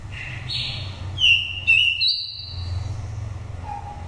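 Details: Nest-reared oriental magpie-robin from Daklak with five moults, wild-type song for lure or stimulation: a buzzy opening, then clear sharp whistles climbing in steps, ending with a soft low note amid hum.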